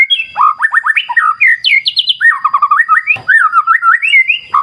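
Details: Rich white-rumped shama song with a clear-river wild backdrop: rapid looping whistled trills rising to high quick notes, then warbled descending runs and smooth upward whistles, with one sharp click midway.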